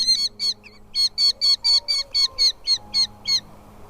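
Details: Falcon chicks in the nest as the mother brings food; a rapid series of about a dozen high, clipped chirps with a sharp downward bend, evenly spaced and repeated roughly three times per second.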